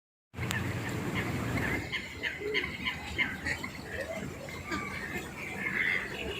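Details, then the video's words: Ducks on a lake chatter on open water with short, scattered quacks and higher peeping notes over a steady wash of wind and water. "Sounds of nature, lake, ducks/Звуки природы, озеро, утки"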